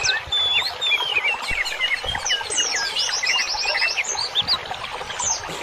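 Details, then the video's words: Masteran birdsong for training cage birds: a dense, fast chatter of high chirps and twittering notes that overlap throughout, with a few clear whistles early on. "MASTERAN INI BUAT TERAPI BURUNG"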